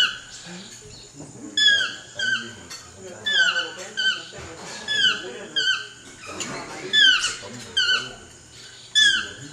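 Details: Chestnut-mandibled toucan calling: loud, yelping, downward-slurring notes with strong harmonics, given in bursts roughly every second, some doubled, over a faint murmur of lower background sounds.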